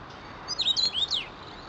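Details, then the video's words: Common rosefinch (Carpodacus erythrinus) sings one quick phrase of clear, slurred whistles, rising and falling over under a second, against faint background hiss. "чечевица, птица, пение"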